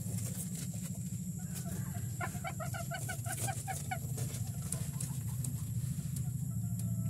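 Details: Bantam chicken after laying its first egg: a quick run of harmonic clucks mid-clip, roughly two per second, rising and falling slightly, over a constant loud low hum and steady high-pitched whine.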